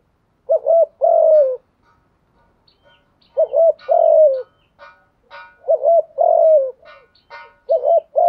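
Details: Spotted dove coo used to stimulate newly caught doves into cooing quickly. Four low hooted phrases arrive in pairs about every three seconds, each a short wavering double note then a longer falling coo, with faint thin notes between.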